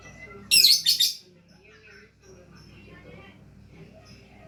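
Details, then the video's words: Lovebird singing: a short double burst of scratchy, high chirps, then a quiet gap with faint background murmur and a last sharp note at the end. "Love Bird Gacor"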